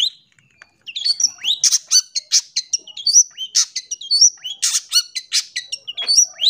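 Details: Long-tailed shrike, song played to train young birds and prompt singing: fast, varied chatter of short whistled slurs, rising squeaks and scratchy bursts, almost continuous after a quiet opening second.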